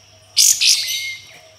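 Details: Sooty-headed bulbul giving rough, harsh notes: two loud, grating, hissy bursts in quick succession, trailing off into a softer rasp.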